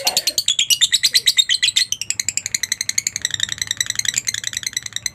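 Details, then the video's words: Lovebird chattering in the ngekek style, a masteran recording for training other lovebirds to sing; a harsh squeaky burst opens into a long rapid series of high buzzy notes that gradually soften. "masteran suara Lovebird ini mampu membuat Lovebirdmu gacor"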